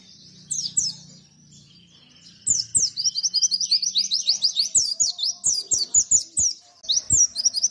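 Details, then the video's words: White-eye (pleci) in rapid 'nembak' song for training other birds: a couple of high flicked notes, a brief lull, then roughly four notes a second of shrill, downslurred chips in a sustained chattering burst, with scattered low clicks. "Masteran Pleci BIKIn Nembak MoLORRR"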